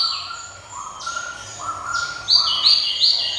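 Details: Java sparrow song opening with soft drawn notes and a thin whistle, then building into three loud, sharp, bell-like high notes near the end.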